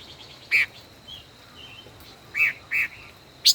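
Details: Five-colored bird held as a caged decoy for over a year in a song duel gives a few loud, clipped chirps with short, soft, slurred notes between them over a faint constant high tone.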